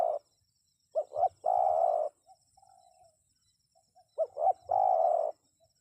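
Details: Cooing spotted dove, meant to get wild birds responding: two full phrases of twin short hoots leading into a long throaty coo, with softer single coos between them and a quiet background hiss.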